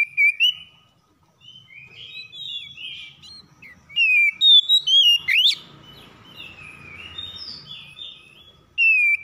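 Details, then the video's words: Oriental magpie-robins answering each other in the morning with rough lure song: loud rising and falling whistles around high pitch, bursts of sharp notes near the start, middle and end, with quieter warbling between. "PANCINGAN KACER PAGI HARI SALING SAUT SAUTAN KASAR"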